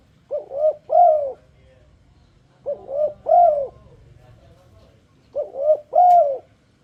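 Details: Turtledove giving a luring song to draw other turtledoves into singing: three-note phrases of two short coos and a longer arched coo, repeated about every two and a half seconds.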